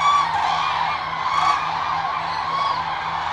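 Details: A dense chorus of wintering common cranes (Grus grus) in the Agamon Hula Valley by the Jordan River, Israel, December 2022, gives many rolling, trumpeting calls overlapping without pause, over a steady low hum.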